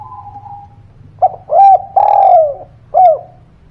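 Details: Spotted dove call played as a lure for birds that won't sing: a soft hum, then a quick note, a rounded coo, a long sinking coo and a final short coo in steady sequence.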